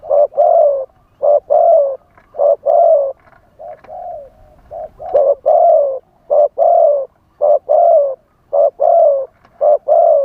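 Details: Live decoy spotted dove giving a wild-type song meant to attract wild doves. Steady runs of mellow low coos come in short-long couplets, about a dozen notes over ten seconds, with a brief softer murmuring pause midway.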